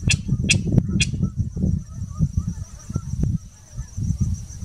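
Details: A King Rail calling in the marshes of Blackwater NWR gives low, harsh grunting notes in an uneven series, with a few sharp clicks and a steady high insect-like whine behind.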